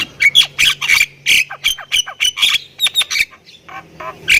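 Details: Thai-type Javan myna in energetic song. Loud squawky chirps and short slurred whistles are packed closely together over a faint low hum.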